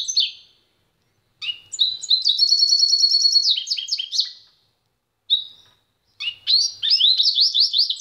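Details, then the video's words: Pintagol song in separate bursts: a short opening note, then a long metallic ringing trill with twitters, brief pauses, a single clear whistle, and a final run of rising chirps. "PINTAGOL EM CANTO"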